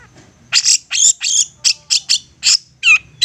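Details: Insistent long-tailed shrike provoking rivals to answer: a quick series of raspy, grating notes, about three per second and uneven in spacing, with a slurred whistled note near the end.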